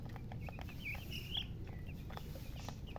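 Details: Chicks chirping: a few brief high peeps and one longer drawn-out cheep near the middle, set against low humming background noise and soft knocks.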